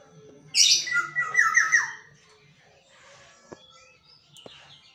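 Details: Black-naped oriole, a pet bird that sings at dawn each day, gives a short burst of loud, fluty, slightly harsh notes over about a second and a half, then quiet with a couple of faint clicks in a small room.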